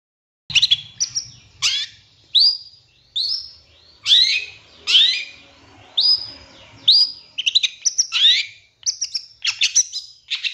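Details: Long-tailed shrike song played as provoking master material: loud, varied whistled notes that swoop downward or sharply upward, spaced about half a second apart, ending in quicker clustered chirps, over faint low background rumble.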